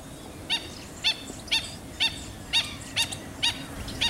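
A black-winged stilt gives sharp, yapping kek notes, about two each second, over a faint low background hum.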